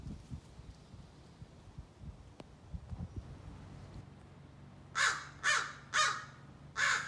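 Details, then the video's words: After about five seconds of quiet rustling and low noise, a young crow practising scolding and territorial calls bursts into four loud, raspy caws spaced about half a second apart. "Young Crow Practices Scolding and Territorial Calls"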